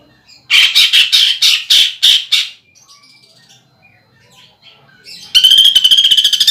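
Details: Greater green leafbird belting out harsh, evenly spaced rasping notes, about two per second, then after quiet a fast buzzy rattle begins, part of a contest-style woodpecker imitation fill.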